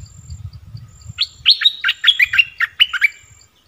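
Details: Decoy bulbul calling to lure wild birds, recorded 16 March 2021: a rapid run of short, bubbly chirping notes dropping and rising, about ten in two seconds, over steady faint insect ticking and a low rumble early on.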